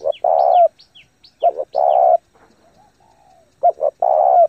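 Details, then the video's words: Spotted dove, a lure bird cooing fast and hard to excite and train decoys: low hollow coos in a short-short-long pattern, repeated three times, with thin high downslurred chirps from another bird above the first phrases. "chim cu gáy thúc gù tốc độ căng lửa kích mồi tập bổi cực mạnh"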